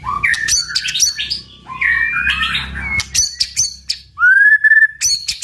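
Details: Strong 'tạch' singing by a white-rumped shama to provoke fights: hard clicks and choppy whistled phrases, then a loud clear upslurred whistle held near the end, followed by another click.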